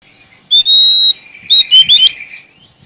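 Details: Sumatran Oriental magpie-robin, a male, singing to challenge rivals: a long pure high whistle, then a quick run of three bright rising and falling whistled notes, with a quiet background.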